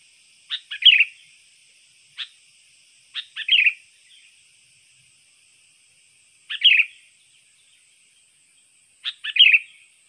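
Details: Trained sooty-headed bulbul used for luring wild birds: repeated bursts of two or three sharp chirps run into a rich gurgling phrase, separated by gaps of two to three seconds, with a faint high background hiss.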